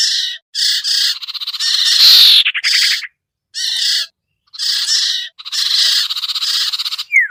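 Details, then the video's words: Sirtu lure call for bringing birds down: dense, scratchy, buzzing bursts that swell into a loud rasp near the middle, repeated in quick runs with short silences and a falling whistle at the end. "suara pikat burung sertu sirtu cipoh yang susah turun"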